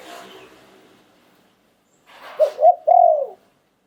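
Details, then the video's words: Spotted dove singing in the Thai 'liw tan' song style, an auspicious bird; after faint background hiss, two short low coos then a longer drawn-out, slightly wavering coo ending the phrase. "หลิ่วตัน คารม นกมงคล เสียงนกเขาใหญ่"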